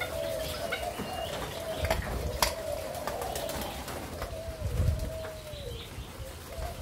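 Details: Malaysia-Thailand line spotted dove, 27 September 2022, cooing in soft, mellow notes that slide gently downward at the end of each phrase, with occasional knocks and a low hum behind.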